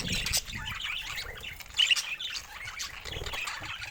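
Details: Budgerigars kept as pets produce a continuous high chattering warble with squeaky chirps and one louder squawk midway, over a low background hum.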